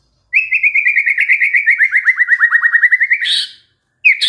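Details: White-rumped shama, described as stressed and singing suddenly on hearing a lure: a fast, even trill of about twenty-five quick whistled notes gently falling and rising, then a harsh burst and another sharp note.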